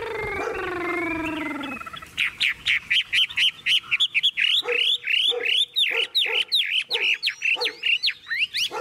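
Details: Caged tame Chinese hwamei: a steady droning tone opens, then the bird pours out rapid sharp looping whistles in short bursts, each followed by a low note.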